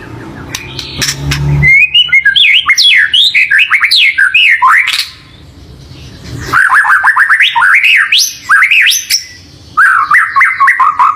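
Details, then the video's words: White-rumped shama song to coax a pet bird into singing: sweeping whistled notes rising and falling in quick runs, broken by short pauses, with some clicks at the start. "COBA PANCING MURAI BATU ANDA DENGAN SUARA INI"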